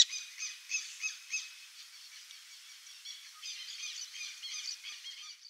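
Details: Burrowing owl in Brazil giving harsh, rasping chatter: a few quick bursts in the first second and a half, then a longer, scratchier run of buzzy notes.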